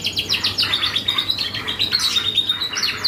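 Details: Canary singing hard as a lure to draw other birds' responses, a fast series of chirps running into a long high, even trill, then more quick notes, over a low steady hum.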